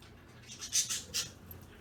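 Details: Pet budgerigars kept indoors, three birds (opaline violet, lutino, opaline light green), playing with a chain; a few short, bright chirps close together, then quiet room noise.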